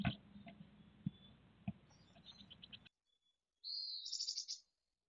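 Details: Mountain chickadee at a Truckee nest as nestlings fledge, early morning in late June 2020; muffled low thumps and faint high chirps, then after a silent gap one clear, high, buzzy trilled call lasting about a second.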